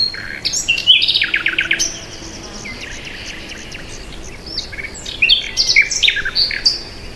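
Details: Birds chirping outdoors: busy bursts of high, rapid, scratchy twitters and short whistles, a quieter middle stretch, then another lively run of quick notes.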